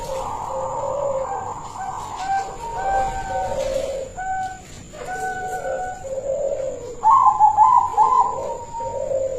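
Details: Local silver-coloured zebra dove, a kept songbird described as in full song with a big voice, gives rolling, trilled coos in repeated phrases, pulsed upper notes over lower purring tones, with a steady high electrical whine behind.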